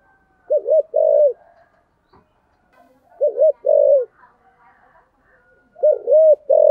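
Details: Spotted dove with a 'thổ sấm' voice giving 'thúc gù' coos: three pairs of low, hollow notes, a short double-humped coo followed by a longer one, spaced a few seconds apart with quiet between.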